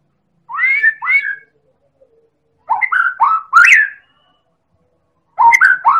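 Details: Champion Medan White-rumped shama, singing heavily, recorded as a lure to provoke other birds; paired whistled notes, then a loud phrase of slurred rising whistles with a click, and a final short burst.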